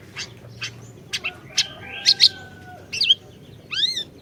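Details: Singing orange-bellied leafbird, intended as a lure for a bird that has stopped singing: spaced sharp chips, a long thin level whistle, harsh double notes, and a closing group of curved arched whistles.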